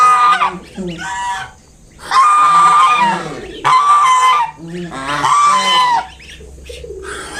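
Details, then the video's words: Mother swan defending five newly hatched cygnets gives loud, nasal, trumpet-like honks in separate bursts of about a second, with near-silent pauses between them. "Mother swan making sounds to protect her baby swans."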